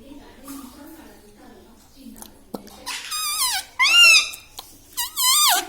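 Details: Pet green parrot indoors, known for saying "mummy" and "radhe radhe"; quiet human speech first, then three loud, wavering, nasal parrot utterances with bent pitch contours, separated by short pauses.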